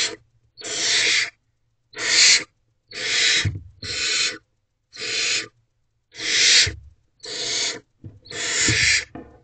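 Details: Barn owls in a nest box at night, 3:40 am on 29 April 2023, while the male brings more food. Eight rough, hissing screeches follow each other about once a second, interspersed with light knocks and movement noises.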